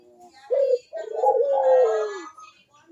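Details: Barbary dove coo used as a lure: a short low note, a pause, then one long rolling coo holding steady before fading downward, with a faint higher voice over it.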